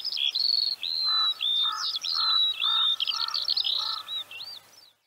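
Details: Eurasian Skylark from Central Russia: a continuous rapid high warble of slurred whistles, short trills and twittering notes. Beneath it runs a lower, steady note repeated about twice a second.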